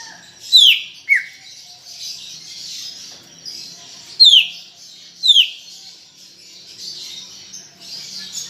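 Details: Lively, chattering song of a greater green leafbird: loud, ringing down-slurred whistles, one followed by a lower slurred note, then a pair a second apart. Quieter pauses between, with a steady high hiss behind.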